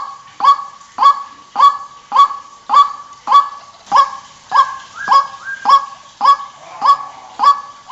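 A White-breasted Waterhen gives harsh, honking croaks. The notes repeat steadily about every half second, some fourteen in a row, with nothing else heard.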